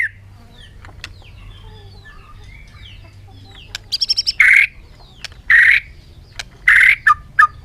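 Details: Bird heard with faint thin whistles at first, then a quick stuttered run of notes and several loud harsh squawks spaced about a second apart, ending in two short clipped calls.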